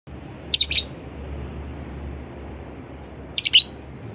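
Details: Lovebird calling to prompt other lovebirds to join in and sing: two piercing, raspy double-chirp bursts about three seconds apart against steady low background noise.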